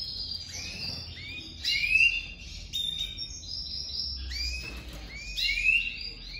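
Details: Newly paired domestic canaries for the 2023 breeding season, hen crouching to the cock on their first day together; upslurred chirps and thin high notes in loose clusters, with a soft low background hum.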